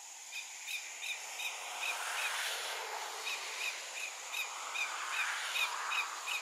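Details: Short, clear whistled 'tu' notes about three a second over wind or surf hiss near an adult Lesser Yellowlegs, Remire, French Guiana, 24 August 2023, 15:00; the alarm call reportedly comes from a nearby Greater Yellowlegs.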